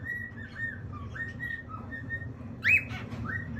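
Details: Cockatiel whistling a run of flat, evenly pitched notes with small dips, then one louder rising chirp near the end, over a constant low background hum.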